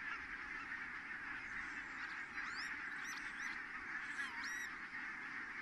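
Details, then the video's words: Many geese landing at Kulgur, Estonia, 4 May 2018, 17:58: a background roar of flock honking, with several clear, rising and falling whistled notes from other birds above it. "so many Geese landed"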